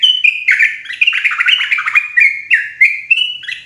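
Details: Forest trapping lure of a yellow-vented bulbul, loud and clear, delivered as a dense, continuous burst of chattering, bubbling notes that tumble downward mid-phrase before brighter whistled notes resume.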